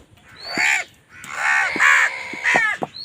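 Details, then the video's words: Drawn-out, nasal, rasping crow caws from birds fighting over food, three long calls in quick succession. "কাকের ডাক Crow Sound Crow ki Awaz Loudly | Crow bird Fight for Food"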